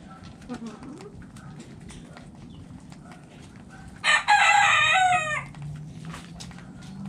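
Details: Rooster crowing in a backyard coop while the chickens eat: a single strong, rich crow of roughly one second midway, with soft clucks, pecking taps and low background rumble around it.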